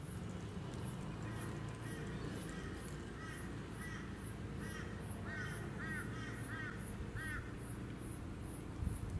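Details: A male Eastern koel (Stormbird, Eudynamys orientalis), filmed on the Sunshine Coast, Queensland, in February 2020, gives a run of rising two-part whistles that grow louder and quicker, over a steady low rumble and fast, high insect ticking.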